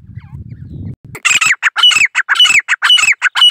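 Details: Low rumble fades out, then a female dakhni grey francolin in the Indian jungle starts a loud run of harsh, clipped notes with rising squealing peaks, repeated in quick succession.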